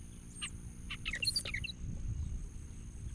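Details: Prinia feeding its young in the wild: a brief cluster of high, thin chirps and short whistled slurs over about one second, then fading, over a steady low rumbling background noise.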